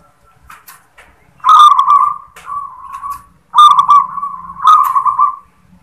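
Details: Local zebra dove performing the "klar ketek kuk" song: loud rolling, purring coos near one pitch, two long bursts followed by a softer trailing phrase, with faint clicks between.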